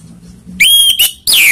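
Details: Orange-headed thrush song played as a lure to provoke rival birds: a short burst of loud, clear whistled notes, one held and slightly wavering, followed by a sharp descending whistle, after quiet low background hum.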